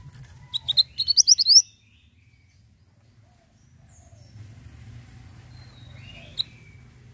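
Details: Ashy tailorbird singing a quick accelerating series of bright rising chirps, followed by quiet background with faint bird notes and low ambient rumble.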